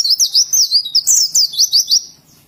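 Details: Oriental white-eye, Indonesia, singing "ngalas": a brisk string of about ten high, looping whistled notes in steady rhythm over two seconds, fading out at the end.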